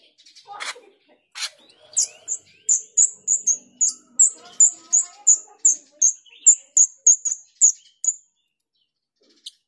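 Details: Female grosbeak starling, known locally as jalak rio, used as a lure: a few clicks, then a steady series of high, piercing chips about three per second for six seconds, ending abruptly.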